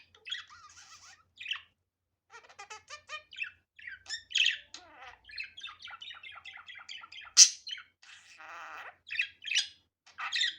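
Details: Budgerigar in natural, unedited recording: soft chirps and clicks building into varied warbles, one piercing squeak, a buzzy descending rattle, then further scratchy calls.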